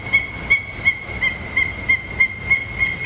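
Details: Peruvian thick-knee (Burhinus superciliaris) at Assiniboine Park Zoo in February 2023 gives a high, piping whistle that pulses about three times a second, steady in pitch, over a faint background hiss.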